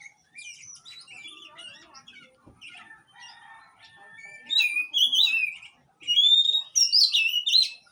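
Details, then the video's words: Oriental magpie-robin (kacer) song to trigger singing in a stalled bird: soft chattering and whistles, a sharp click, then two loud bursts of bright, warbling, sliding whistled phrases. "Panggilan untuk burung Kacer yg mandek"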